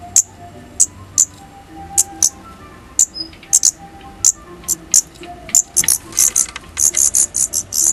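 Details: Young Daurian redstarts on their first departure from the nest give sharp, high-pitched chips, first spaced about every half second, then crowding into a quick run of calls near the end, over a low steady hum.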